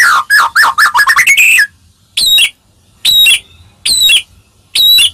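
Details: Singing White-rumped shama, a melodious voice said to make any shama answer: a quick series of down-slurred whistles speeding into a rising flourish, then four ringing notes spaced roughly a second apart.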